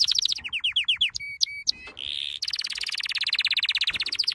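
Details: Canary training song with short descending trill segments, paired metallic ringing notes, a brief harsh buzz and then a long, even, rapid trill of evenly spaced notes.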